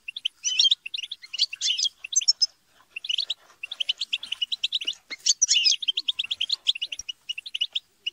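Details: Group of European goldfinches chattering and quarrelling, played to encourage a goldfinch to sing; high, liquid twittering phrases with rattling buzzes, overlapping voices and occasional faint clicks.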